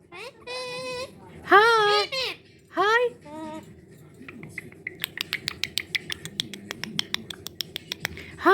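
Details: A pet talking cockatoo gives three rasping, speech-like phrases with rising and falling tone, among words like "baby" and "thank you", then a run of sharp clicks or taps about three per second.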